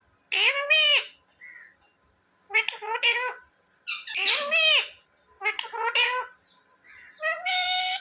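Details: Pet parrot talking indoors, repeating words such as "mummy" and "papa": five high, harmonic, voice-like phrases of about half a second to a second each, separated by short pauses, with faint soft squeaks between them.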